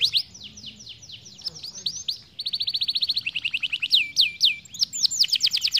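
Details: Rolling canary song meant as a tutor for young canaries learning rolls: scattered high downslurred notes, then a rapid even trill followed by faster repeated sweeping whistles.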